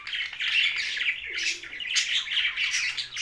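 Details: A young budgie's loud, scratchy chirps in quick overlapping bursts, with a dip in the middle before the chatter resumes.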